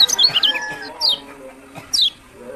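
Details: Lemon-bellied white-eye from Lombok, known locally as kecial kuning: a brief burst of high twittering notes followed by two separate sharp, high downslurred whistles, with faint low tones underneath.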